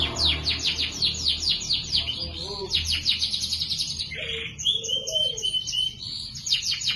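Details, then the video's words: Canary singing a lively chirping song with ornate phrasing, used as a training model for other birds: rapid series of high descending sweeping notes, then a long thin whistled trill and short lower warbles, over a steady low hum. "Suara burung kenari GACOR Cuit cuit nembak ‼️ CENGKOK MEWAH cocok untuk masteran"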